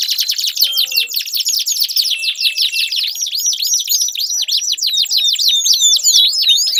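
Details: Singing canary meant as a lure for a silent bird: dense, loud chattering trills of quick high sweeps, accelerating into rolling V-shaped notes repeated several times a second.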